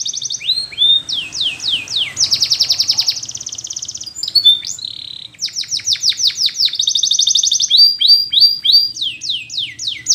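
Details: Spanish Timbrado canary delivering a training song: series of descending sweeping notes, a fast rattling trill, a brief pause, then more repeated downslurred whistles and quick chirps in rhythmic runs.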